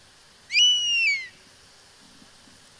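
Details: A single drawn-out whistle from a European Honey Buzzard, sharply rising at the start, then holding and gently falling, with a second call just beginning at the end.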